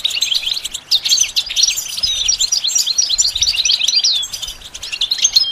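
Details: Goldfinch song used for training young birds to sing: a fast, continuous twitter of high, liquid chirps and short trills with a few rising whistles, running almost without pause.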